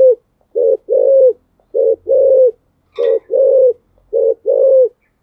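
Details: Spotted dove giving a thúc gù contest coo in the Thổ Sấm voice style, meant to coax rival birds into calling: low hollow coos in four paired phrases, a short note followed by a longer rounded one.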